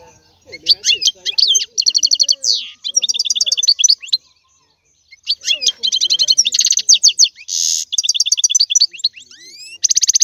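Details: A European goldfinch delivers a lively twittering song of quick liquid chirps, fast trills and rasping buzzes, a brief pause near the middle, then more ringing notes.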